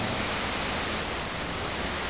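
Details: Yellow-chevroned parakeet eating molungu petals while hopping between branches; soft high buzzy notes lead into three sharp, shrill, downward-sliding chirps in quick succession against constant background hiss.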